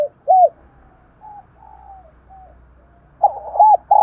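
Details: A spotted dove coos in the morning. A loud hooked coo is followed by fainter, drawn-out coos from farther off, then a loud stuttering phrase with a curved coo, over a low hum.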